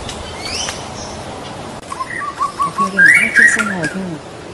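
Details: White-rumped shama from Medan: a run of short clear whistled notes near one pitch, then louder rising and falling whistles with lower slurred notes beneath, over a steady background hiss.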